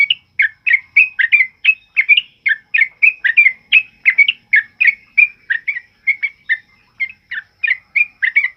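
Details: Sooty-headed bulbul in rapid, loud 'ropel uplik' singing, a master song for other birds: crisp whistled chirps repeated nearly three a second in a fast, uneven rhythm.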